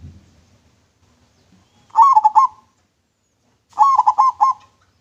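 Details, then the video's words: Manggung song of a local zebra dove with a clear voice, kept as a lure bird: two rolling phrases of about five fluttering coos each, separated by nearly two seconds of silence. "PERKUTUT LOKAL MANGGUNG SUARA JERNIH COCOK BUAT PANCINGAN"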